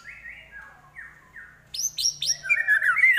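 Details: A caged white-rumped shama sings a varied mimic song, first soft falling whistles, then loud rapid downslurred notes and a rich warbled phrase; its repertoire includes imitations of prenjak (prinia), kapas tembak and elang (eagle).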